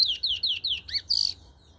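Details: Chestnut-bellied seed finch (Sporophila angolensis) singing in Trinidad: four quick, clear whistles, each sliding downward, then a rising-and-falling note and a short buzzy trill, all high-pitched and sweet.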